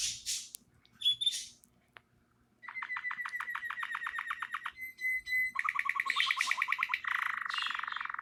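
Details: Canary singing in its natural voice: a few scattered high notes, then long rapid trills of repeated short notes, a sustained steady whistle, and dense buzzy rolling phrases to the end; faint low hum behind.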